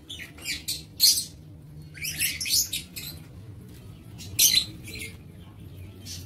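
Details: Lovebirds in an aviary, 07 April 2023, producing rapid, high, grating chirps in clustered bursts, several quick notes together, with a steady low hum beneath.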